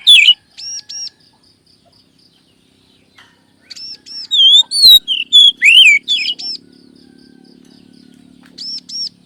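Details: Kacer lure song for settled and young caged birds: paired high arched notes, then a dense run of loud swooping whistles, quiet stretches with faint high ticking and a low hum, closing with more arched notes.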